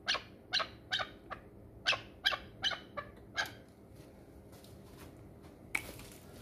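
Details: Chukar partridge from the Pamir, a hunting bird, repeats crisp clucking notes about every half second for several seconds, then falls quiet apart from faint notes and a final click.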